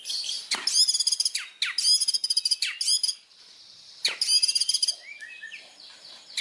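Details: White-rumped shama from Indonesia singing bursts of high metallic trills and sharp clicks separated by short gaps, closing with a few soft whistled notes.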